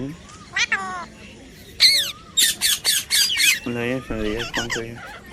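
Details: A baby pet parrot practising talking makes loud squawks and a rapid series of harsh bursts, followed by lower, voice-like chattering syllables that resemble speech.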